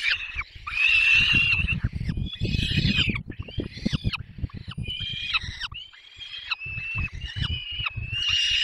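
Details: Peregrine falcon young at the nest during a long feeding, Barycz Valley, Poland, May 6, 2021: a run of shrill, wavering begging squeals in short separate bursts, with thumping and rustling at the nest underneath.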